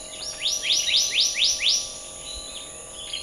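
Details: Black-naped monarch singing five rising, upslurred whistled notes in quick succession, each sweeping sharply upward, over a steady high hum in the background.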